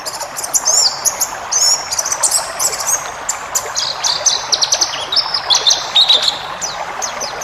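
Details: White-eye in a training recording for cage birds: a busy, varied twitter of high chirps, short trills and brief whistled phrases, delivered almost without pause over background hiss.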